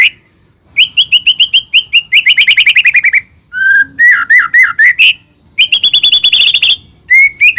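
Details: White-rumped shama lure song aimed at making another shama answer: trilled runs of bright notes, then varied swooping whistles, a steady high trill, and a final pair of short whistles.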